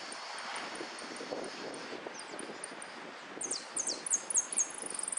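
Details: Saffron finch at a singing competition, repique song: scattered faint high ticks for three seconds, then a series of sharp, very high descending sweeps that break into a fast even trill near the end, with a low rustling background.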